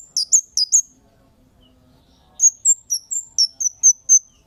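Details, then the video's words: Lure calls of a Kemade meant to make other birds answer: quick, piercing high chips, a rapid run of four, a pause, then eight evenly spaced sharp notes, each slightly downslurred. "Suara Burung Cit Kemade GACOR--Pancingan Cit Keres"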